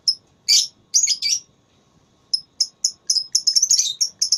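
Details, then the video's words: Lovebird in a voice battle contest, with harsh chattering bursts early on, then a quickening series of sharp, high-pitched chirps that run together toward the end. "Lovebird Tarung Suara"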